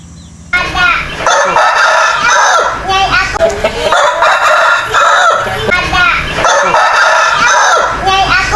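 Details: A rooster from the Jabodetabek area, Indonesia, crows loudly and hoarsely, the crow returning every few seconds; recorded for sound analysis of frequency, amplitude, duration and interval in Audacity.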